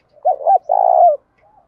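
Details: Decoy spotted dove coo meant to draw wild doves into calling: a soft double coo, then a long rough coo easing downward, ending with a faint low note.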